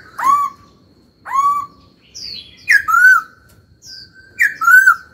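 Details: Young laughingthrush kept as a cage bird, singing and dancing: rising whistled notes, a few thinner high squeaks, and fuller downward-sliding whistles in loose groups, with faint room noise beneath.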